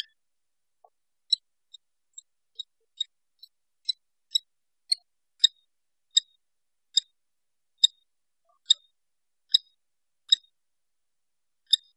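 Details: Sharp, high mechanical clicks tick at a steady, slightly irregular pace in an otherwise quiet setting, with no animal voice.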